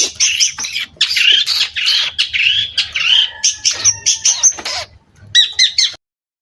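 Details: Long-tailed shrike in loud, continuous song: a dense stream of harsh, grating notes and warbles, a few sustained whistles, then a final quick burst of sharp high chips.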